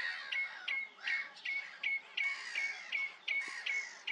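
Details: Common redshank at Rye Harbour giving a steady series of clear, short piping peeps, about two or three each second, each a quick whistled note with a slight downward slur, against a faint background hiss.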